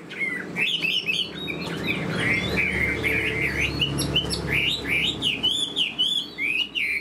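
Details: Chinese hwamei, a kept fan-tailed bird praised for eagle-wing display and fighting, pours out rapid, varied whistled phrases: bouncing slurs, rising sweeps and short repeated notes delivered almost without pause, loud and clear against a quiet room.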